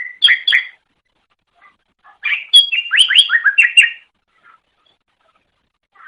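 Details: Greater green leafbird recorded as a masteran for training caged birds: a pair of sharp chirps, a brief quiet spell, then a rapid chattering run of slurred notes.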